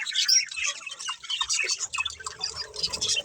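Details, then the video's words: Several pet budgerigars playing together, a dense stream of overlapping chirps, squawks and warbled chatter, high and scratchy, with quick notes tumbling over one another and no pauses. "Cute Budgies Chirping Sounds"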